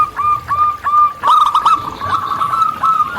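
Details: Zebra dove of the local type singing in the wild: widely spaced ringing coos, then after a click a dense, rolling run of quicker notes.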